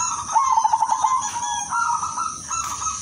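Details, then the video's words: Female silver zebra dove calling males, a lure that draws replies from other doves; a rapid sequence of around ten pulsed, gurgling coos descending gently, then quieter steady tones and constant background hiss. "pekutut BETINA silver memanggil jantan paling cocok jadi pancingan yang lain pasti nyaut"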